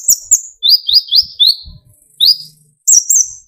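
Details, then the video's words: Actively singing sunbird (kolibri ninja), used to provoke other sunbirds into singing: short sharp chirps, then a string of high thin down-slurred notes, a pause, and a final burst of high twittering. "burung konin gacor pancing tembakan konin dari yang trotol sampai full metalik nembak emosi"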